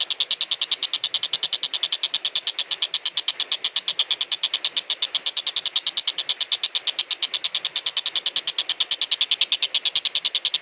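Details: Kingfisher, known locally as tenkek buto, in a long recording meant for training magpie-robins and green leafbirds. It gives harsh, buzzy pulses repeated rapidly and evenly, about eight a second, without pause.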